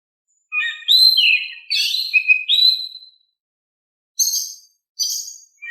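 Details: Oriental magpie-robin singing actively in a calm voice, used to coax quiet birds into replying: fluid whistled notes dipping and rising, followed by two short, bright, high chirps; clean background.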